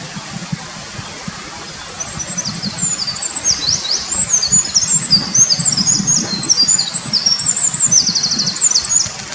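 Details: Eurasian wren singing energetically by a mountain stream in a village forest on 23 May 2019: a long, rapid, high-pitched outpouring of trills and sharp twittering notes, with steady rushing stream noise underneath.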